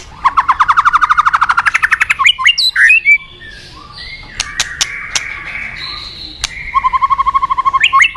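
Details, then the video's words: Forest White-rumped shama delivering a long, rapid series of identical pulsed notes, then sharp twanging calls, soft sustained tones, and another fast, even rattle at the end. "Terapi Murai Batu Hutan"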